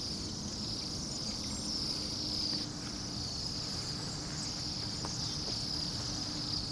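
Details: A flock of perhaps 200–300 Bohemian waxwings in noisy Anchorage at minus 8 °F gives a steady, shimmering chorus of very high, thin buzzy trills over a low background rumble.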